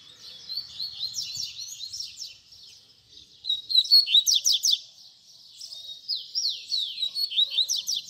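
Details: Teaching song in the baderna style from a double-collared seedeater: rapid high chirps and slurs, then a loud run of sharp descending notes, a pause, and another lively twittering passage.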